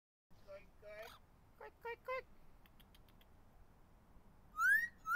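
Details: Pet blue-fronted amazon parrot perched outdoors in a backyard tree on a warm, pleasant day, talking and whistling: a series of short harsh, speech-like syllables, then a loud clear whistle rising and leveling near the end.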